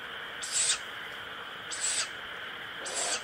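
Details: Owl chick giving harsh, breathy hissing calls described as 'pishu', three short noisy bursts about a second apart over a steady high background hum.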